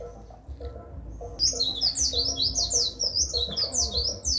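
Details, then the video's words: White-eye song used as a tutor recording for training songbirds: after a quiet start, a rapid stream of very high, thin chirps and twittering notes, with a steady lower repeated tone beneath. "Masteran Pleci"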